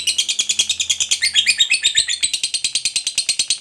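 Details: Ngekek-style long trill from a fighter lovebird, used as a lure to make quiet lovebirds sing: dense harsh chattering pulses in quick succession, a brief squeaky modulated passage in the middle, then even pulses again.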